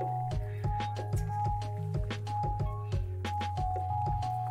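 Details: Steady music with low sustained tones, soft bell-like notes and regular percussive thumps; no animal sound is heard.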